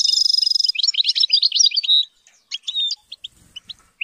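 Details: Captive-reared European goldfinch song opening with a rapid buzzy trill, then tumbling chirpy twitters that sputter into scattered high notes and short whistles after a gap.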